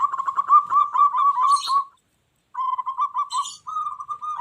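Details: Energetic local zebra dove song meant to make wild doves answer back aggressively: two phrases of quick, bubbling low coo notes separated by a pause, with a brief high chirpy sound over each phrase.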